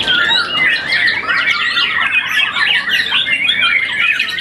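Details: Contest-winning young white-rumped shama, moulted once, pouring out rapid overlapping chirps and rising and falling whistled phrases in a continuous loud torrent.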